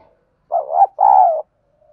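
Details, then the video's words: Spotted dove kept as a decoy to make other birds coo, delivering a low two-part call: a rough, fluttering first note followed by a steadier, longer hooting coo, with faint coo traces before and after. "tiếng cu mồi thúc bổi này thì chim mới xiêng gáy"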